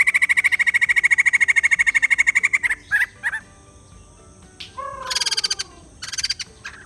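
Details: White-crested laughingthrush gives a fast, evenly repeated ringing chatter lasting over two seconds. Scattered short calls and a downward-sliding note follow, then a brief renewed burst of pulsed cackling.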